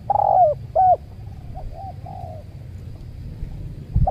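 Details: Cooing spotted doves in a luring session with a decoy bird near a durian orchard. Two loud, arched coos lead, then quieter, drawn-out answering coos trail off. A low rumbling background is present.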